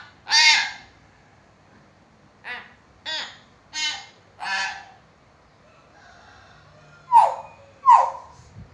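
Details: Talkative hill myna used to set off lazy mynas: a run of harsh, nasal squawks at irregular intervals, ending with two sharp, loud, downward-sweeping whistled notes.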